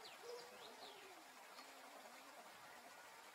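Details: A lone male king eider in an enclosure in spring mating season, courting females of other species for lack of a mate of his own, gives soft, low, dove-like crooning notes slurring gently downward, with thin high chirps from other birds behind.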